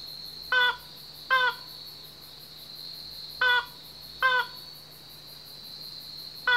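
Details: At night in a dark thicket on Yonaguni Island, where it often calls, a slaty-legged crake starts calling after an hour's wait: short, harsh, nasal notes, often in pairs a second apart, over a steady high insect trill and low hum.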